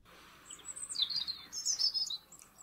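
European robin singing two quick, high, thin phrases of tinkling, wavering notes that rise and fall, with a brief pause between them over quiet background hiss.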